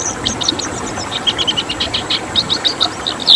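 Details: Rapid tembakan-style song of a red siskin, a rare protected species: bright high chirps and buzzy twitters in quick, evenly spaced bursts that grow louder toward the end, with a faint background hiss.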